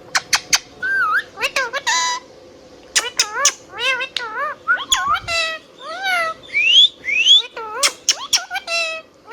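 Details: Indian ringneck parakeet kept as a pet, chirping and whistling: rapid series of clipped chirps mixed with looping, bending whistles and a few rising squeals, about two notes a second, nearly continuous over several seconds.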